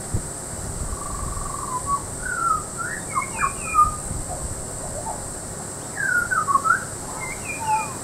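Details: Butcherbird singing at Peachester, Queensland: rich, fluting whistled phrases that slide up and down and come in two bursts, with a steady high-pitched drone running beneath throughout.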